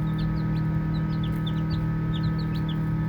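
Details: Baby chicks chirping while playing, giving short, high, downward-sliding peeps scattered irregularly over a steady low droning hum.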